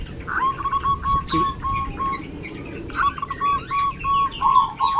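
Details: Zebra dove singing actively in a quiet rural village in Kebumen, Central Java, Indonesia: a run of short, even, whistled coo notes at one steady pitch, with brief flourishes and faint chirps from other small birds behind.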